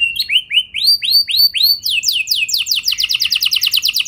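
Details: Canary song used to stir rival canaries to sing: upward-curving whistled notes in a slow series, switching to a rapid run of falling trilled strokes that speeds into a dense roll.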